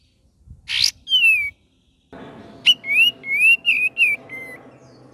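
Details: Cream-vented bulbul in full song: a harsh burst and a falling whistle, then a series of six or seven bright whistled notes over a steady background hiss.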